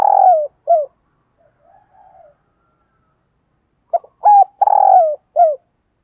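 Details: Spotted dove kept as a decoy, its coos meant to call wild doves: the tail of one phrase, soft muttered notes, then a full phrase of clipped notes, a rough drawn coo and a falling last note.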